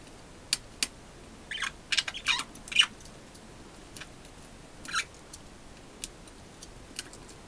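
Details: Four pet budgerigars, two hens and two cocks, sitting at a window give scattered sharp, high chirps, with a busier burst of scratchy chatter near the middle, over a faint steady hiss.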